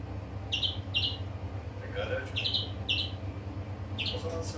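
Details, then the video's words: Greenfinch giving pairs of bright, high chirping notes separated by brief pauses, with a fainter lower note in between, against a steady low droning hum. "Flurya Kuşu ötümü"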